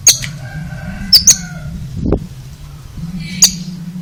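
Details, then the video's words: Oriental magpie-robin (kacer) giving odd sharp high clicks, a double click at one second and a single one later, with a low dull thump midway and a constant low hum behind. "Suara ANEH Kacer ini Bikin HERAN"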